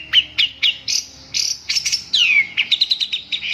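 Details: Long-tailed shrike singing: three sharp high notes, then buzzy sustained phrases, a clear whistled slur falling near the end, and a quick run of clipped chattering notes. No other sounds.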